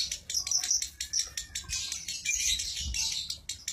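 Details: Lovebird singing in the konslet style: a dense, rapid, high-pitched chatter of squeaky notes and trills, almost continuous with brief breaks, plus faint low thumps.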